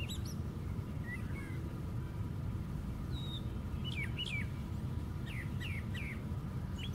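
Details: Brown thrasher high in a white pine tree sings varied chirps and slurred whistles, finishing with three identical downslurred notes in a row; steady low rumble in the background.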